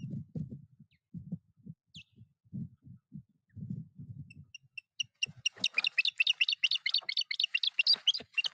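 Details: Osprey nest in Puszcza Napiwodzko-Ramucka forest on 14 April 2023, while a foreign osprey attacks: low knocks and rustling at first, then a fast, excited series of piercing whistled notes, roughly two per second.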